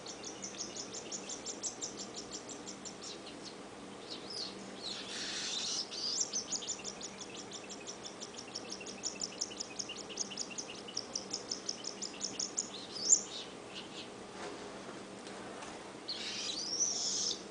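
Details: A whiteface cinnamon pearl cockatiel baby (female), being handfed, gives rapid, rasping, high-pitched begging calls in quick rhythmic bursts.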